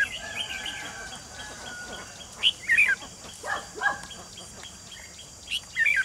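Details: At a bulbul trap using a decoy bird to catch wild birds, 28 June 2020, several short chirping and warbled phrases come in uneven succession, with softer bird notes and background rustle between them.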